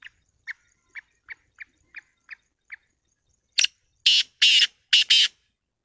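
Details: Black francolin call: a run of short, sharp, evenly spaced pips, then a loud, coarse, grating phrase of four broad rasping bursts, the final pair tightly linked, with otherwise quiet surroundings.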